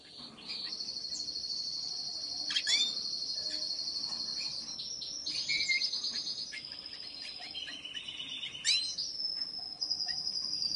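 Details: Lawrence's goldfinch × dominant white canary hybrid sings a long, high, fast trilling song, shifting between phrases at different pitches, with a few sharp chips in between.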